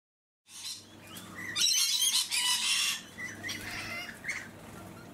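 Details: Rainbow lorikeet filmed on the Sunshine Coast, Queensland, in March 2022: loud, rasping, broadband screeches burst out after a brief silence, then give way to softer chattering notes and a low background hum.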